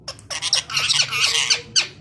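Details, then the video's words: A green parrot couple kept as pets squabble and talk together; a dense run of harsh, buzzy squawks and chattering syllables, followed by one short sharp note. "Talking parrots naughty couple of mian mithu funny talk each other"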